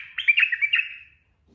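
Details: Sooty-headed bulbul in the fast ropel song style, recorded as training audio for cage birds: a short warbled phrase of bubbling, slurred notes lasting about a second, ending in silence.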